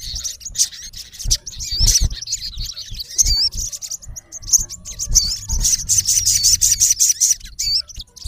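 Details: High-pitched twittering from a male olive-backed sunbird challenging a rival, recorded in natural habitat: sharp chirps, rippling trills and brief upslurred whistles running almost continuously.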